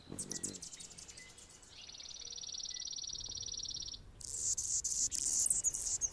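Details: Anna's hummingbird on a branch in Golden Gate Park, San Francisco, California: a sustained high, buzzing drone of about two seconds, followed by a dense rush of sharp, scratchy, very high notes.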